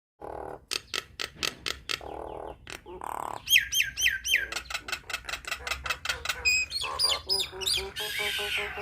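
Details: Nias hill myna singing in a vigorous 'gacor' style, played to teach young mynas to sing: rapid run of harsh squawks and clicks, then looping whistled notes and sharp chirps, densely repeated, in a small indoor space.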